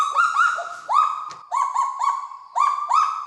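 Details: Kagu duet from New Caledonia, sung to mark the family's territory: male song of about twelve syllables answered by a shorter female phrase. Loud whistled notes that rise sharply then hold level, delivered in quick pairs and short runs with brief gaps.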